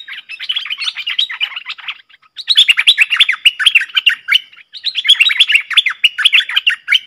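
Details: Streak-eared bulbul pair in a fierce singing contest, 30 October 2021. Three long bouts of busy, chattering warbles, notes tumbling rapidly up and down, separated by short gaps.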